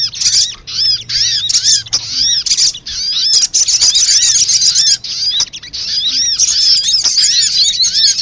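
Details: Sunbird calls played as a lure to draw birds and make them sing: rapid, high, scratchy arching chirps in busy overlapping bursts, growing nearly continuous in the second half.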